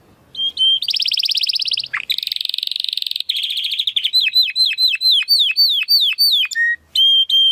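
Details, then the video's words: Belgian canary song: a short whistle, then dense buzzing rolls, a rattling trill, and a run of downward-curving whistled notes, ending in clear single whistles. "CANÁRIO BELGA CANTANDO ESTRALANDO !"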